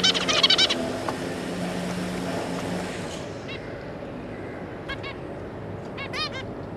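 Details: Zebra finches, a pair with their three juvenile young, recorded 26 May 2022: a loud rushing burst opens, then short nasal stacked call notes sound singly and in quick pairs over a steady low hum.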